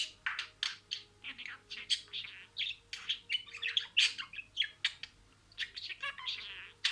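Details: Budgerigar imitating words: dense, rhythmic chatter of scratchy warbles and bright squeaks, rising and falling in loudness, indoors with a low steady hum.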